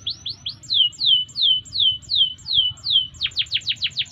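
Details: Canary singing for training, with a series of slurred, descending whistled notes repeated roughly every quarter second. It breaks into a faster run of sharp chirps over a low rumbling background.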